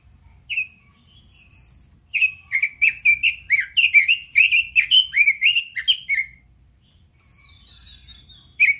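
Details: Red-billed leiothrix singing vigorously: a lively run of rapid warbled, slurred whistled notes lasting about four seconds, preceded and followed by single short notes, over a faint low hum.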